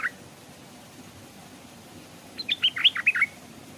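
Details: Stripe-throated Bulbul, a decoy bird hung by a stream, gives one brief note and then a quick burst of about eight bright, bubbling chirps in under a second; a wild bird came but didn't dare come down; quiet background.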